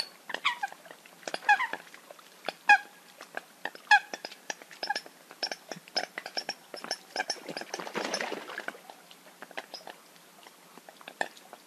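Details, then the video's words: Eurasian coot calls: abrupt, honking notes, with the strongest few coming near the start, set against a crowded scatter of clicks and brief chirps throughout. "Eurasian Coot (Fulica atra) Real Hunting Call Sound"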